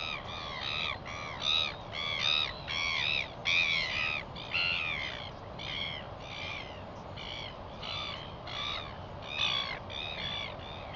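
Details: A Northern Royal Albatross chick in New Zealand, filmed on 27 July 2021 at breakfast as its father arrives to feed it, gives a rapid series of harsh, nasal, wavering calls, about one a second, over steady wind rumble.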